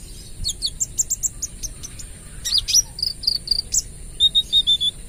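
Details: Spotted-plumage sunbird singing busily in a rapid-fire 'AK 47' style, kept as a lure bird: high thin chirps and short clipped whistles in quick bursts, then a run of even, level notes, over a steady high insect-like hiss.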